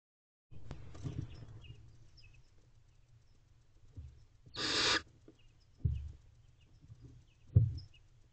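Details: Barn owlets in a nest box at 5:29 am on 28 April 2023, one owlet tall enough to fold over its siblings; a single harsh, rasping hiss lasting under half a second amid low thumps and shuffling.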